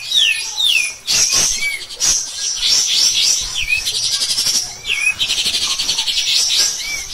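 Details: Cotton pygmy goose, a master recording for training songbirds such as white-rumped shama, green leafbird and magpie-robin, delivering loud, shrill, rapid chattering bursts, with sliding descending whistles that repeat between phrases.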